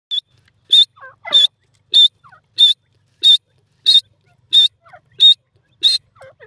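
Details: Grey francolin with its chick, playing together; loud, high, clear piping notes repeated steadily about every 0.65 seconds, ten in all, with faint soft lower chirps between them.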